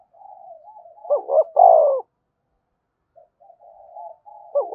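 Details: Cooing spotted dove, meant to prompt other doves to answer: soft wavering low notes lead into a strong stuttering coo phrase, then quiet notes and the start of another phrase.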